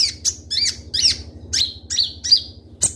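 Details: Kolibri ninja (Konin) sunbird, a kept songbird in full song, used as a lure for other birds: sharp, crystal-clear high chirps and bursts about every quarter second, some rising and some falling, over a low indoor hum.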